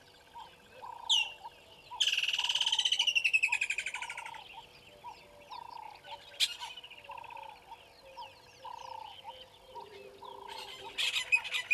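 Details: Water thick-knee calling at Gowrie dam, Djuma Game Reserve, South Africa, morning of 25 December 2021, waterbucks around. A loud rapid run of whistled pulses slides downward for about two seconds, followed by scattered sharp notes and a rhythmic background call repeating about every second.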